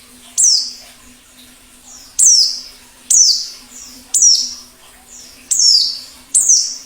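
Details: White-eye in the wild, plengi ngalas recording. Sharp, high notes sweep steeply downward, each one isolated and arriving roughly every second, with quiet gaps between. A low, constant hum is audible throughout.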